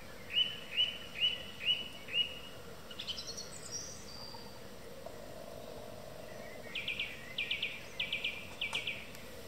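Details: A song thrush sings in the evening: a clear whistled note repeated four times, then higher, thinner notes, then a fast, rattling, buzzy phrase repeated four times. Soft low background noise throughout.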